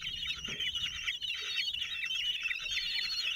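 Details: Nest of common kestrels at Théding, 27 June 2023, where the male feeds four 17-day-old young that stay fairly calm. A continuous high chatter of overlapping thin calls goes on throughout.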